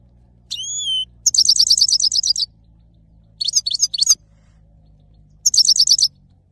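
A male goldfinch opens with a few clear whistled notes, then sings three bursts of fast, high, liquid twittering separated by short pauses.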